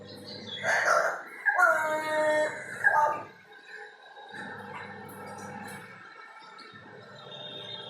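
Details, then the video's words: A crow that has learnt to imitate strange noises from hanging around a window, recorded from far away; harmonic, wavering tones rise and fall for about three seconds amid low background rumble, then fade into faint noise. "Crow talking/imitating strange noises"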